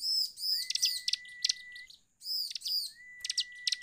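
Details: Bar-winged prinia song played to make other prinias sing: two phrases of arched, trilling notes, each followed by sharp chirps and a long flat whistle.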